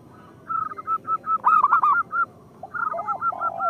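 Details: Zebra doves of a local strain, their song used to prompt other doves to sing: a steady run of short, even coos, then a louder cluster of arched notes and lower warbled coos from a second bird.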